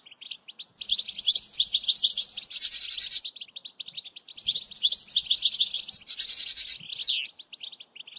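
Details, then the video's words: European goldfinch song used for training a young bird: fast tinkling twittered phrases with a dense buzzy burst, two bursts of rapid notes separated by a short pause, ending in a sharp descending sweep. "#chantchardonneret ecolage chardonneret"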